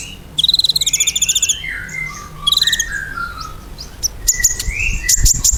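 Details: Ruby-cheeked sunbird song meant to get pet sunbirds to reply quickly: a rapid, buzzy high trill of about a second, then soft descending whistles and a second trill, ending in sharp ticks and a rising whistle.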